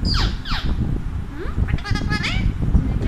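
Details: Two quick, harsh squawks from an Indian Alexandrine parakeet are followed by a warbled, speech-like phrase with a rising ending, over a low, noisy background.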